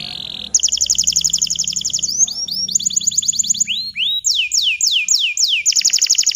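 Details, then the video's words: Bottle-green canary singing rapid trilled tours of repeated high notes, shifting from fast buzzy rolls to slower rising and falling whistled phrases, with faint background hum; a song used to tutor young canaries. "Kenari Hijau Botol AF Gacor COCOK Untuk Pancingan Kenari Paud Belajar Bunyi !! Canary Singing"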